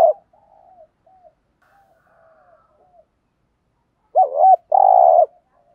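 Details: Faint, scattered low cooing notes of a spotted dove over several seconds, then a loud wavering coo and a sustained buzzy coo near the end.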